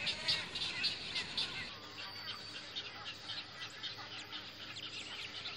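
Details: Wood storks at a nesting colony during the breeding season: a dense, high chatter of overlapping rasping cries and squeals with no clear pause, over a faint low hum.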